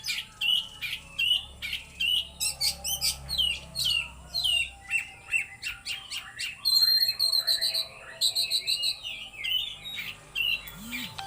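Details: Oriental magpie-robin singing at full power in the trotol and konslet style: loud, varied whistled phrases, sharp chattering notes and rapid repeated trills in quick bursts, with a faint low hum behind.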